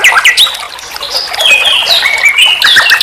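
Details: Nightingale master song for teaching songbirds, in a dense, tangled phrase: rising and falling whistled slurs run into one another, with a few sharp clicks at the end.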